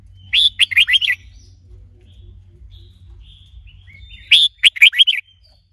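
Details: Male red-whiskered bulbul in training, stimulated by a female, gives two lively phrases of quick, bright, tumbling chirps about four seconds apart, each under a second long, against near silence with faint background hum.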